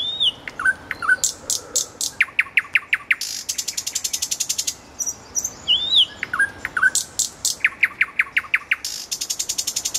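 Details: Common nightingale by a road, singing loudly. Slurred whistles and quick downward notes lead into long, rapid trains of sharp, clicking repeated notes. The pattern repeats after a brief gap.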